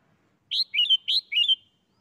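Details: Single doubled phrase from a caged red-whiskered bulbul in 'bler' style: two matching loud whistled notes, each starting high and bright then dipping into a short gurgling trill, delivered back to back in about one second.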